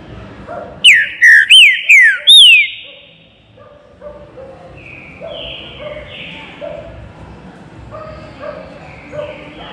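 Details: Aviary-kept green-winged saltator performing its baruc song: a rapid run of ringing downward-slurred whistles lasting about two seconds, then a background of fainter bird chirps and short notes.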